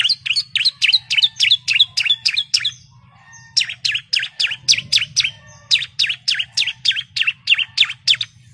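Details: Female bar-winged prinia calling the male, used as a lure to get birds singing: rapid bursts of sharp high chips, about three per second, in two long runs split by a short pause, over a low steady hum.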